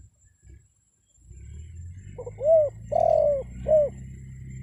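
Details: Spotted dove lure call meant to make wild birds respond. After a quiet start comes one low, hollow coo sequence: a faint lead-in, a short coo, a long held coo and a clipped last coo, over a steady hum.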